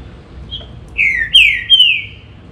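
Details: Green-winged saltator singing: a faint high note, then three loud, clear whistled phrases that slide downward, the last drawn out and fading, over a low background hum.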